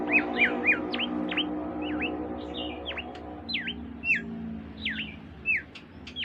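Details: Oriental white-eye singing a loose series of thin, sharply swooping whistled notes, spaced irregularly, over a steady low background hum.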